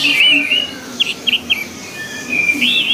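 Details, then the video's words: Orange-headed thrush song used as training audio to make caged birds sing readily: short whistled phrases near the top of the range, a pause, then a rising-falling looped whistle toward the end. "SUARA ANIS MERAH"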